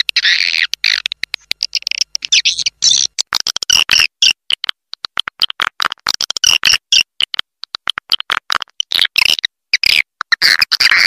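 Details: Lure call to draw in swiftlets, Raja Liur style: jerky, chattering high twitters mixed with rapid sharp clicks, going on almost without pause.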